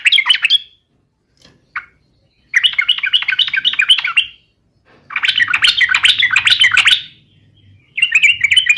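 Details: Yellow-vented bulbul fighting song aimed at provoking rivals: loud, dense bursts of rapid chattering notes with short gaps between them, and a faint low hum under one phrase.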